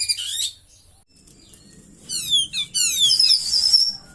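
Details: Oriental magpie-robin kept in a cage, singing a song laced with cililin mimicry; a brief high twitter, a pause, then a dense rush of rapid downward-sweeping chirps and a sustained high buzzy trill.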